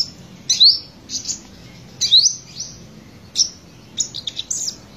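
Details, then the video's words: Olive-backed sunbird of the subspecies buruensis from Buru island, Maluku, a black-breasted bird singing in the trotolan style: thin, very high whistled upslurs and short buzzy notes in scattered bursts roughly every second, with silent gaps between. "Sogok Ontong/Kolibri Sriganti Trotolan Dada Hitam gacor"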